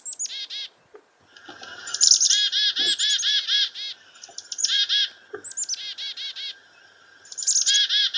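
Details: Three black-capped chickadees calling from a sumac bush beside a farmhouse as a northern goshawk preys on a dove: high sharp chips mixed with long strings of rough, buzzy dee notes, several birds overlapping, with a steady faint tone underneath.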